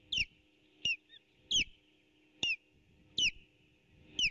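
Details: Osprey at the nest, on a nest camera, 8 April 2018, as an intruder attempts to steal fish: evenly spaced, loud, shrill whistles, each slurring downward, roughly every two thirds of a second, over a faint hum.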